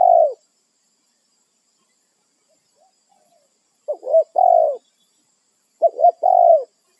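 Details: Wild spotted dove calling its companions on its territory: low, mellow coos, each phrase opening with quick clipped notes and ending in a longer falling coo, two phrases about two seconds apart after a brief opening coo, otherwise quiet.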